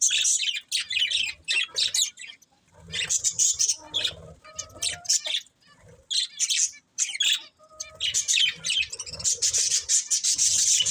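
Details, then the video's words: Budgies chirp in scratchy high twittering bursts mixed with short pure whistled notes and brief silences. "Beautiful Budgies Chirping Sounds"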